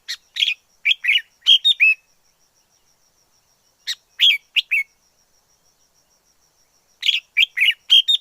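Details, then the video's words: Wild red-whiskered bulbul song in three clusters of rapid, clear, warbled notes, the first and last longer and busier, with nearly two seconds of quiet separating them. "Chào mào rừng hót hay nhất 2020"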